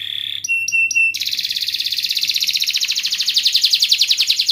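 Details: Canary singing as a lure to prompt lazy canaries: a few clear whistled notes, then a long fast rolling trill of high repeated syllables.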